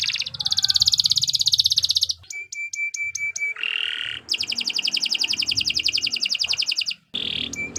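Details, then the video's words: Canary in long, vigorous song used to tutor other birds: a dense buzzing roll, crisp repeated ticks, a lower warble, then a long fast trill of rapid identical notes, and more ticks at the end. "Kicau Burung Kenari 164 II LUAR BIASA GACOR PANJANG"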